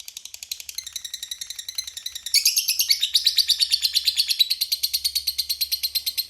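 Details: Lovebird giving the long "ngekek" chatter prized by Indonesian bird hobbyists: a fast run of harsh, shrill chattering notes that grows louder and fuller after about two seconds and continues steadily to the end.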